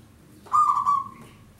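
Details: A single loud coo from a local zebra dove in long song, used as a lure. The note starts with a harsh attack and then holds a steady hooting tone for about half a second.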